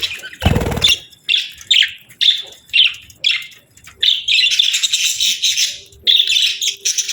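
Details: Budgerigar pair, breeding season: after a loud knock, a series of evenly spaced scratchy chirps about every half second, building into dense warbled chatter with a faint low hum.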